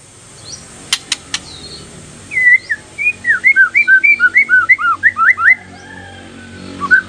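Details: White-rumped shama song used as a lure to set other shamas singing: a few sharp clicks, then a fast run of clear looping whistles, about three per second, over steady background hiss.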